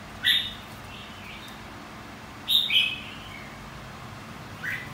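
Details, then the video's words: Singing-contest song from a white-cheeked red-whiskered bulbul in training: three clear, liquid whistled phrases, the middle one double-noted, separated by roughly two-second gaps in a quiet setting. "Kích chào mào hót đấu.. Kích má trắng hót.. Luyện má trắng hót đấu"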